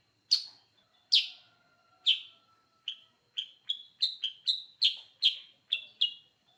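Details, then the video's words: Active gacor song of a sooty-headed bulbul: three loud, spaced, ringing chirps, then a quickening sequence of shorter bright whistles, several in close pairs, with a faint steady tone underneath. "Suara Burung Kutilag Sutra Super gacor"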